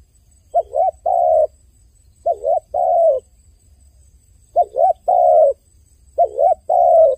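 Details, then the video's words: Crying dove repeats one pattern four times at an even pace: a quick dipping double coo running straight into a longer, level, gently falling coo, with short pauses between phrases. "The sound of a dove crying សំឡេងសត្វលលកយំ"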